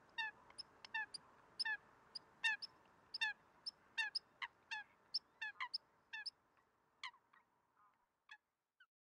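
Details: Eurasian coots in Greece, February 2023, producing a fast run of nasal, ringing notes, more than one per second, that fades and slows toward the end.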